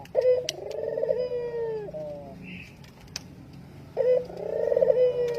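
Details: Spotted dove calling as a lure for other doves, two deep cooing phrases a few seconds apart, each a steady hoot tailing downward, with a faint chirp and clicks between them.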